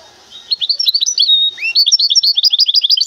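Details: Short burst of song from a caged goldfinch hybrid from Temara: lively high twitters, a sustained thin whistle, a rising upslurred note, then rapid, evenly spaced chirps.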